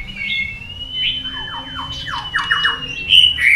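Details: Tail-flicking white-rumped shama in long forest-style singing contest: one long level whistle held for seconds while a series of short falling notes sounds beneath it, closing with loud bright chirps.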